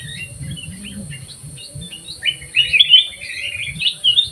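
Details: Black-crested bulbul singing actively in an aviary: short whistled, slurred notes, then a louder run of bright warbled phrases in the second half, over low background rumble.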